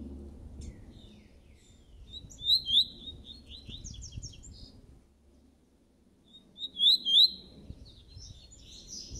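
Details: Double-collared seedeater (coleiro), laranjeiro song style, bird coming out of moult: two short bursts of high, rapid twittering notes with slurred whistles, separated by a pause, over a low background rumble.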